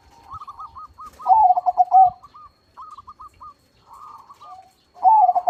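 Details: Zebra dove of crossbred stock, singing actively in a big voice: soft hooked note runs alternate with two loud trilled coo phrases, with brief silent gaps and a few low knocks.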